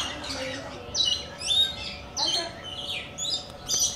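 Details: Short, sharp chirps and shrill chatter from rainbow lorikeets kept near coconut lorikeets, a burst roughly every half second, over a low steady hum.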